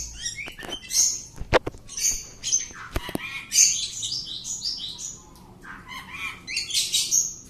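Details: Oriental magpie-robin, a household cage bird under a courage test, singing bright high whistles and quick descending note series, interrupted by several sharp clicks or knocks.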